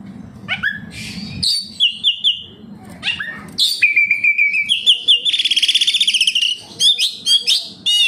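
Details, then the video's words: Kacer, the oriental magpie-robin, singing gacor to trigger song in captive birds: varied whistles, buzzy trills and rapid chattering notes in quick-changing phrases, with low rumble early on. "Suara burung Kacer, cocok buat Pancingan Kacer bahan agar tambah Gacor"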